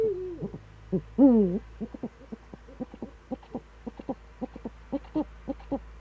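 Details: Eurasian eagle-owl, Eifel, September 2013, around seven in the morning: a brief thin tone, then one loud quavering hoot, followed by a long series of short, evenly spaced clicking pulses.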